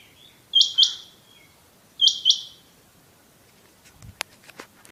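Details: Rain quail in a hunting setting calling two clear paired high whistled notes roughly 1.4 seconds apart, each pair quick and sharp, followed by a few rustling clicks and knocks near the end.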